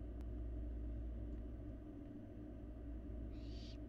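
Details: Barn owl fledgling feeding in an empty nest box on a live cam in Florida; after a sharp click and steady low hum, one soft raspy hiss arrives near the end.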